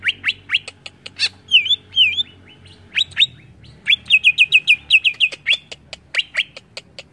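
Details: Greater green leafbird, locally cucak ijo, giving a song used to stir other birds: clicks and sharp notes, paired wavy whistles, then rapid repeated whistled slurs and scattered chips.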